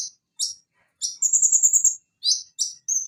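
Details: Van Hasselt's sunbird song: a few spaced sharp chirps, a rapid high buzzing trill about one second long, then more clipped high notes.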